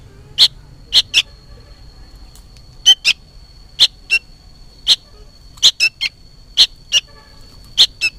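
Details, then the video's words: Juvenile sooty-headed bulbul calling noisily for its parent: short harsh chirps, often in quick pairs, about thirteen notes over eight seconds with irregular gaps, against a faint steady high whine. "suara burung kutilang anakan gacor ribut seperti memanggil induknya"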